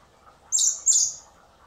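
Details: Begging from hand-fed common blackbird nestlings at a rescue centre in spring, awaiting release: two shrill, rasping squawks follow one another closely, then silence.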